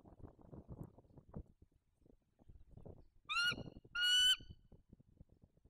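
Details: Bald eagle on the nest incubating a single egg, 3 November 2022, on a live nest camera: two loud, thin, squealing harmonic calls half a second apart over continuous rustling and scratching in the nest.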